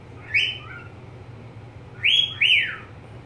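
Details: Pet budgerigar whistling: one drawn-out note, then after a pause a louder pair of rising and falling whistles in quick succession, with a soft low hum behind.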